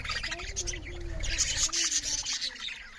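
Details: Budgerigars eating and chirping loudly, fast high warbled chatter with bright squeaky peaks, over a soft low steady hum and rumble in the first half.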